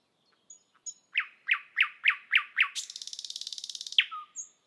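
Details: A thrush nightingale perched on a spring evening sings a loud phrase: six evenly spaced, down-slurred whistled notes, then a fast, dry rattle ending in a sharp note.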